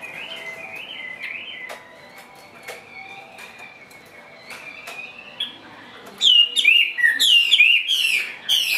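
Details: Partly wild-caught Chinese hwamei kept caged, spreading as it sings: faint, thin sustained whistles with soft clicks at first, then a sudden loud burst of rich, swooping whistled phrases.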